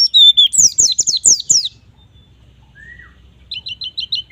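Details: White-eye song used to make young birds sing: a fast run of high, downslurred whistles, a quiet pause with one soft rising note, then a quick row of sharp repeated chips.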